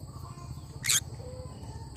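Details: Cinnamon green-cheeked conure: two abrupt, grating screeches about one second apart, the second louder. A faint low hum sits underneath.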